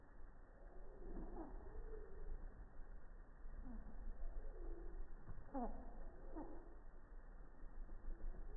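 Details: Hummingbird song slowed down by 240 fps slow-motion recording on a quiet morning of high activity around a feeder, taken with an iPhone 6+ about three feet away; faint, deep, sliding chirps scattered through steady low hiss.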